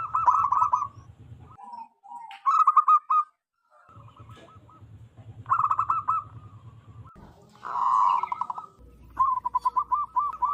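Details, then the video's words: Zebra dove used to lure wild birds: several bursts of fast rolling coo notes separated by pauses, with a low hum underneath and some rougher, honking notes between phrases. "PERKUTUT LOKAL ALAM GACOR SUARA BESAR DAN LANTANG COCOK BUAT PIKAT BURUNG PERKUTUT"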